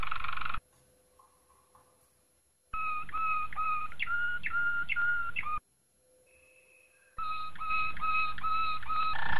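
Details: A Malinois Waterslager canary in song training delivers low, bubbling, water-like rolls of pulsed notes in two long bursts, with a steady background hum between them.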